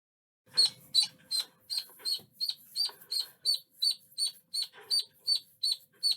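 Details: Duckling quacking: a steady run of high, sharp peeps, roughly three each second, each a short bright chirp, continuing evenly through the stretch with little else in the background.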